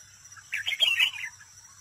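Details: Red-whiskered bulbul used as a decoy bird in a trap, singing competitively: a single short warbled phrase of bright, quick whistled notes rising and falling, over a faint low hum.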